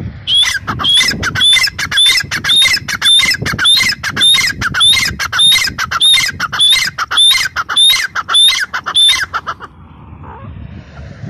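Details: Female grey francolin (teetar) giving a long, steady series of harsh, high-pitched calls, each with a sharp upward inflection, repeated nearly twice per second for about nine seconds before stopping. Faint low background rumble.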